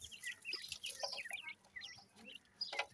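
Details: Grey francolin chicks calling: a run of short, high, rising-and-falling peeps in quick overlapping series, with a few lower soft notes and faint background rustling.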